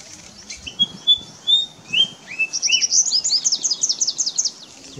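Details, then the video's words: White-browed fantail (Rhipidura aureola) recorded on 9 April 2017 at Mangar, Faridabad, Haryana: a few clear, high, rising whistles, then a quick tumbling run of sweet, downslurred notes over a faint background hush. "White-browed Fantail (Rhipidura aureola)"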